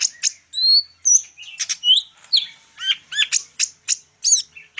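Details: Lively full-isian singing by a greater green leafbird of the Medan variety, with clear level whistles followed by rapid squeaky chirps and down-slurred twitters in close succession.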